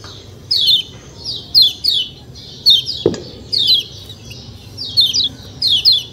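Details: Kecial kuning white-eye giving high, thin downslurred chirps in short pairs and triplets roughly every second. A single brief click sounds midway over faint background hiss.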